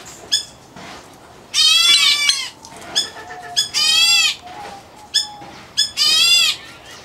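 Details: Captive white-headed black bulbul chick in an aviary, giving harsh buzzy rasping calls in bursts of about a second, mixed with short sharp clicks and brief thin whistles.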